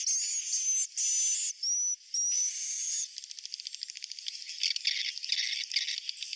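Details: Swiftlet roosting lure call used to attract swiftlets to roost: four piercing, steady high whistles, each under a second, then a fast, dry ticking twitter.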